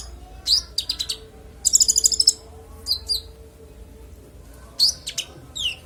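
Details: Konin song for tutoring songbirds, clear-voiced: separate high, sharp chips and whistled slurs spaced by pauses, with one brief fast burst of repeated bright notes, over a faint low hum.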